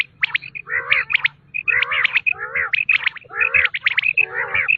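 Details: Quail calling in fast succession: grating, nasal phrases mixed with bright high whistles over a low steady hum.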